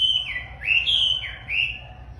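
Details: A very tame wambi in full song gives high, clear whistled notes that slur down and rise again in smooth looping phrases, loud and continuous over a faint low hum.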